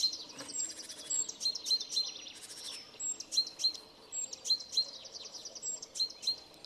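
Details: Great tit giving its energetic spring song in Shipov Forest, Voronezh Oblast; high thin notes repeated in quick series, overlapping with other twittering birds in a busy woodland chorus.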